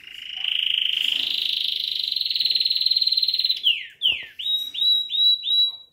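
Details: Pet canary singing, at first mistaken by its owner for a blackbird: a long, rapid, steady-pitched trill held for over three seconds, then a run of swooping down-slurred notes and bright up-slurred whistles, repeated about five times. Indoor recording, no other sounds.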